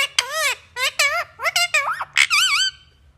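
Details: Indian ringneck parakeet talking: a string of squeaky, nasal syllables with wavering, arched pitch, short word-like bursts over about three seconds.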